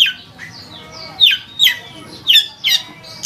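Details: Long-tailed shrike uttering harsh, squawking down-slurred notes, spaced irregularly with soft gaps between them.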